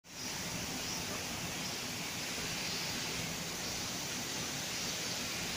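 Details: Steady broadband hiss like rushing water or wind, with no animal calls heard.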